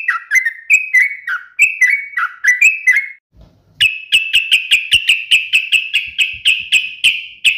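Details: Yellow-vented bulbul gacor song, uplik nembak style: choppy downslurred whistled phrases, a short quiet gap, then a rapid steady string of identical sharp notes about four per second.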